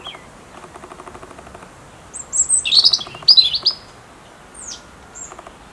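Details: A European robin gives its autumn song: one thin, high phrase of sweet warbles and quick trills lasting about a second and a half, then a few soft, faint notes.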